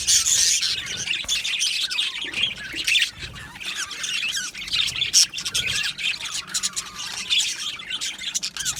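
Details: Budgerigars in an aviary colony: a loud burst of chatter, then continuous high, wavering warbles and squeaky chirps from many birds overlapping throughout.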